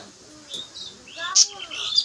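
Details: Budgerigar breeding pairs in a colony, each pair having laid a first egg: a few high squeaky chirps and a sharp burst, with a man talking softly underneath.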